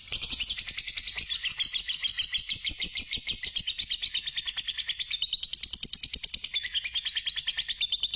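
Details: Fighter lovebird giving a long trilling song, used to stimulate other lovebirds: an unbroken, rapid chattering trill of high notes, about three per second, rising and falling slightly in pitch for over eight seconds.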